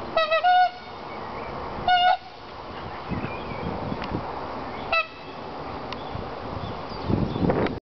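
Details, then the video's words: Several short, bright, nasal honks from tundra swans resident in a nature park, spaced a second or more apart with quieter gaps of rustling background noise between them. "Tundra swans mimicking and making noise"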